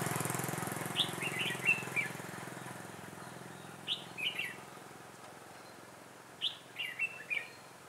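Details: Decoy red-whiskered bulbul singing during trapping, 6/12/2016: three quick warbled phrases of clear whistled notes spaced a few seconds apart, over a low engine hum that fades after the opening seconds.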